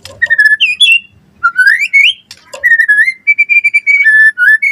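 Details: White-rumped shama singing 'gacor' for lure and tutoring: clear whistled notes with rising sweeps, a couple of short pauses, then a long steady whistle followed by a lower falling one.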